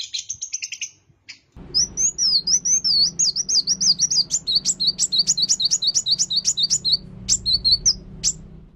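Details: Long-tailed shrike song mimicking bar-winged prinia, a long series of high whistled notes then evenly spaced sharp downslurred chips, about two per second, over a low steady background hum.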